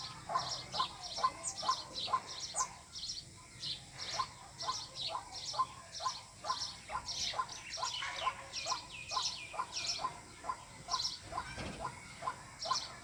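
White-breasted waterhen giving a monotonous run of mid-pitched notes about twice a second, mixed with harsher, higher croaking notes over faint background noise.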